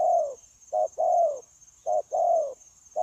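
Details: Spotted dove caught from the wild, cooing without pause for a trapping decoy, 9/1/2024: short mellow coo and longer descending coo in repeated pairs, low and hollow, over a faint continuous high whine.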